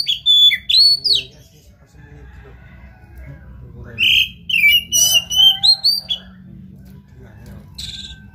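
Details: Oriental magpie-robin song meant to provoke another bird to sing: sharp whistled and slurred notes in rapid clusters, then a long near-silent gap and a brief final burst.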